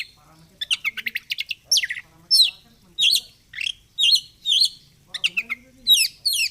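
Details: Oriental magpie-robin in fighter-style song while flaring its feathers: rapid trilled bursts, loud sweeping whistles and rattles repeated in quick succession, with faint low sounds in the background.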